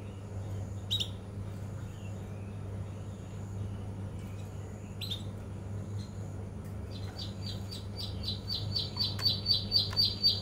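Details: A young male canary twitters in the morning in short, high chirps, building into a quick run of rapid notes near the end over a steady low hum.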